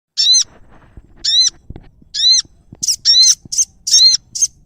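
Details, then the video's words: Prinia call used in bird-trapping, Indonesia: sharp high arched notes repeated about once a second, mixed later with short harsh buzzy bursts, over faint low background rumble. "prenjak bawah"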